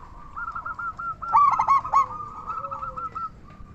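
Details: Local zebra dove singing as a lure for other zebra doves. Near the middle comes a short burst of rapid staccato coos, surrounded by continuous softer cooing and a low drawn-out note.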